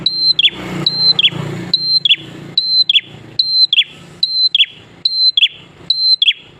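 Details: Prenjak klawu (prinia) lure song to make other prinias sing along: a high steady whistle dropping into a quick downward flick, repeated about once a second, with brief noisy rustling bursts near the start and a low hum.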